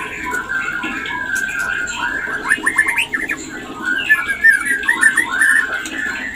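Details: White-rumped shama mating call meant to trigger breeding: a steady whistled tone, then quick clusters of staccato notes and bubbling trills toward the end.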